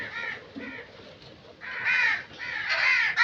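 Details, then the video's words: A crow gives a pair of hoarse caws, falls quiet briefly, then resumes with louder, longer, rasping calls. "Crow Sound Effects"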